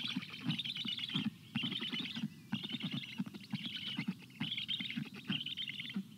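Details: Black stork chicks beg for water in heat, June 25 2022: raspy pulsed calling broken into bursts of about a second, each carrying a thin hissing wheeze above, with short pauses between.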